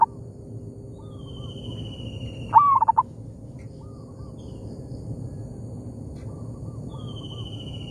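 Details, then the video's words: Local zebra dove answering a decoy bird in an oil palm plantation: one loud stuttering coo phrase amid fainter distant coos, plus a thin high descending whistle from another bird heard twice, over low rumble. "merdunya suara perkutut lokal di kebun sawit,bersahutan dengan pikat"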